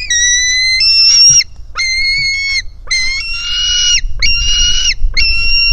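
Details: Hungry white-tailed eagle chick at its nest, 4 July 2018, begging from its mother; a series of drawn-out, whistled squeals, some roughened and harsh, given in quick succession.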